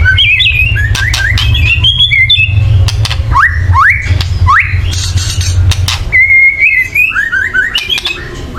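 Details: Loud white-rumped shama chattering to rouse birds into singing: upward-sweeping whistles, steady warbled notes and sharp clicks, over a constant low hum.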